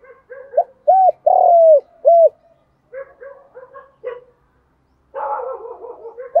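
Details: Spotted dove coo used for challenging rivals and calling: short soft note then three loud, round, hollow coos, the middle one long and gently descending, followed by quieter muttered notes and a burst of low rough cooing.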